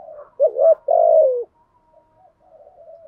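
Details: Decoy spotted dove cooing as a lure for wild doves. A faint opening, then a hooked double note and a long, falling, buzzy coo, trailing into quiet, soft background sound.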